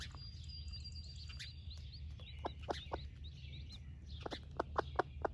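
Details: Broody splash laced red Wyandotte hen sharing her breakfast with her baby chicks: thin, high chick peeps with arched rising-falling chirps fill the first half, then a run of short, low hen clucks near the end, over a steady low hum.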